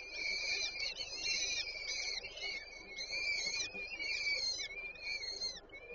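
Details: On 8 May 2023 at a peregrine falcon nest in Warsaw's Żerań, as the female feeds her chicks, overlapping reedy, wavering calls continue almost without a break for six seconds.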